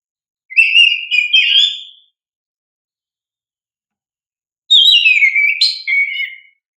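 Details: Oriental magpie-robin singing energetically, meant to provoke young caged birds into responding: one warbling whistled phrase, then a pause of nearly three seconds, then a second phrase that falls steeply before rising again. No other sounds.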